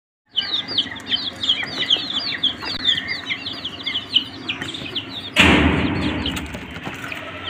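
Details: Many coloured desi chicks, young indigenous chickens kept warm under a heat source, peeping constantly: dense high, arching cheeps overlapping from many birds, then a sudden loud rustling burst near the end as the peeping continues.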